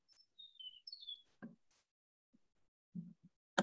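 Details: Eastern Meadowlark song, an example song type from a study of song switching: clear, sweet slurred whistles stepping down in pitch over about a second, followed by a few dull knocks and bumps.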